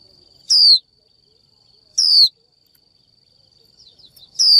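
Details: Female Japanese white-eye enticing a male to sing with three strong, high 'chiu' whistles sliding downward, about one and a half to two and a half seconds apart, plus a few faint soft chips between them.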